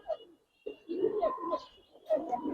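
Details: Budapest highflyer pigeons of silver type in a loft, giving low, throaty coos in overlapping bursts, with a brief pause, then several rolling coos and a final louder burst, faint high hum behind.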